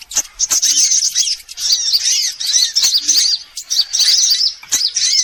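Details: Sunbird lure sound to attract birds: phrases of shrill chattering chirps in quick bursts, separated by brief breaks, with bowed lower notes and clicks between phrases.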